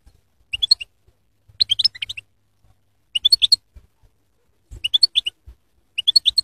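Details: Goldfinch song in clean, bright phrases of quick high twittering notes, each phrase lasting about half a second and repeated roughly every one to one and a half seconds over near silence.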